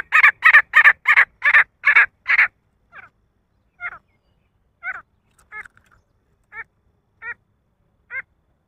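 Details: Male grey francolin calling: a rapid run of seven loud, harsh, rasping notes, then a slower series of thinner, clipped notes spaced about a second apart, in otherwise quiet surroundings.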